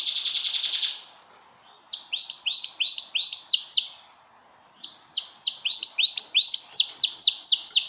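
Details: Male yellow pet Belgian canary singing bright, high notes, opening with a fast trill and then repeated sweeping chirps.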